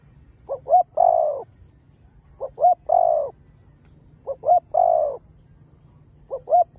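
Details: Phrases of spotted dove cooing in Chiêu, Thúc and Gù styles: pairs of quick rising notes, then one long mellow falling coo, repeated regularly about every two seconds.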